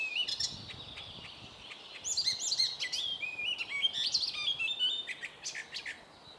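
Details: Singing icterine warbler in a birch grove: rapid varied high phrases of squeaky whistles, rising slurs and dry clicking notes, tumbling on without pause, volume fading at the end.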